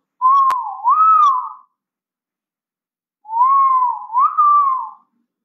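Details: Great Argus in lowland rainforest of Malaysia giving two very loud, clear whistled calls about three seconds apart, each with a dip and a rising second note; nothing else heard.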